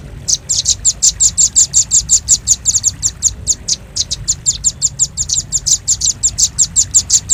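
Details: Velvet-fronted nuthatch, red-billed, recorded as a lure sound for trapping birds: a fast, steady run of sharp, high, metallic chips, about five per second for the whole stretch, with a brief pause near the middle and a faint low background rumble.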